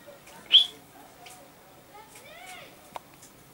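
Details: A common chaffinch, recorded 15 August 2013, gives one sharp, high call note, then fainter chirps and soft background sounds follow.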